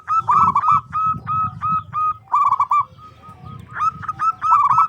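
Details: Zebra dove, a local bird with a large, carrying voice, singing to provoke rivals: continuous quick sequences of short ringing coos with slight pauses, over a steady low rumble.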